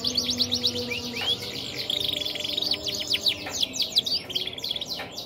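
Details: Red Mosaic crossed with Waterslager canary singing a busy mix of high whistled slurs, quick trills and chattering notes, with a few sharp clicks and a faint low tone underneath.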